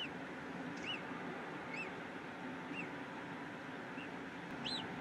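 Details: Peregrine falcon in Brussels, Belgium, 8 April 2016, mid-afternoon: a few thin, arched, high calls spaced roughly a second apart, fairly faint against continuous city traffic rumble.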